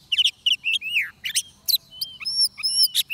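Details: During a trapping session, an oriental magpie-robin sings rapid chattery notes, a descending whistled slur, then drawn-out, clear, pure whistles held at a steady pitch.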